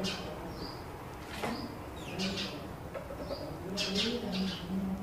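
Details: Sparrows squabble over a new nest box, giving brief high chirps and a few rising notes amid bursts of flapping and scuffling; low cooing-like tones underneath, likely from another bird.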